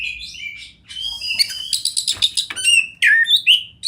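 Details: Oriental magpie-robin song in wild river and forest surroundings: soft wavering whistles, then a dense run of scratchy, buzzy notes, ending in bright, loud swooping whistles that drop and rise, with a light low background hiss.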